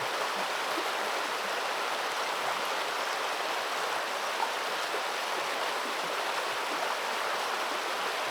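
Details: Steady rushing of flowing water, an even hiss of a stream throughout, with no animal calls heard.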